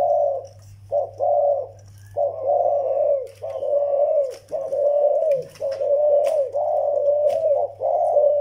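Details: Zebra doves, a young Malay-type bird with an older Vietnamese decoy bird: a run of soft, mid-pitched purring coos in bursts of about a second, each slightly arched, under a steady low electrical hum and faint clicks.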